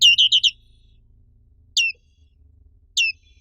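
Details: Black-capped white-eye (Zosterops atricapilla), an Indonesian endemic: a quick burst of four high chirps, then two single high, downward-sweeping notes about a second apart, over quiet low hum.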